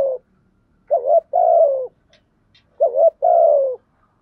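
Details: Decoy spotted dove giving urging coos: repeated phrases, each a quick wavering double note followed by a long, low, falling coo. Two phrases are about two seconds apart, with a couple of faint clicks between them.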